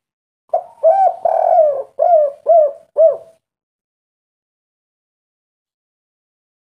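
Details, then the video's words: Spotted dove in a vigorous, agitated "kuk 3" style, with natural local voice. It gives a run of six throaty, low hollow coos in about three seconds, and one longer drawn-out note comes second. Silence follows. "derkuku tekukur kuk 3 gacor suara ngamuk"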